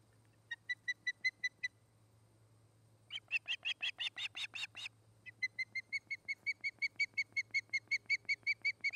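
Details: Osprey at a nest-cam site in Charlo, Montana, late August: short series of sharp high whistled chirps, then a louder burst of rapid harsher notes, then a long steady run of clear chirps about three per second.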